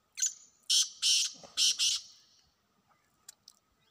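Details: Wild black francolin calling: a thin whistled opening note followed by four loud, harsh, grating bursts in two close pairs, then quiet.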